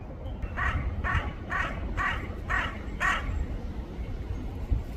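A crow gives six harsh, hoarse caws in quick succession, about two per second, over a steady low rumble of background noise.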